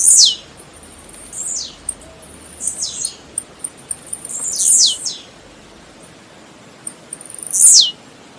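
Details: Blue-black grassquit song played to warm up other birds, a run of short buzzy phrases, each sliding steeply down from very high pitch, repeated about six times with pauses of one to three seconds and faint ticks between.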